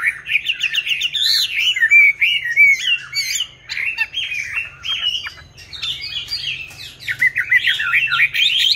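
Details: Chinese hwamei kept caged from wild-caught adulthood into a fifth year sings in uneven bursts. Harsher, squawky notes mix with whistled slurs, separated by short gaps, and a louder tumbling flourish comes near the end.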